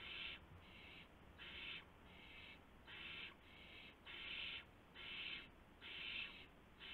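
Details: Owl at a nest at 1:00 AM on March 24, 2016, during a gopher delivery. Rhythmic, rasping hisses of about half a second each repeat more than once per second, fairly evenly, over a faint hum.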